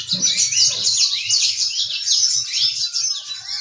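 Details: Yellow-fronted canary pouring out a brisk, high-pitched warble of tumbling chirps and short upward sweeps, steady throughout, with a faint low pulsing noise underneath.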